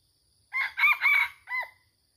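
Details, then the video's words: Wild red junglefowl crowing at a reputedly haunted Indonesian spot where many junglefowl gather during luring; one loud, clear, abrupt crow of four parts: a short opening note, two longer harsh syllables, then a separate clipped ending. "Ayam Hutan Seram ~ Ada Suara"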